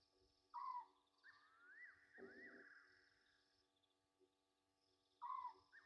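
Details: Egyptian geese calling after dark at Gowrie dam, Sabi Sand, South Africa, 27 August 2023: two loud, harsh, descending honks about five seconds apart, with a low grunt between, a wavering night chorus and mechanical hum.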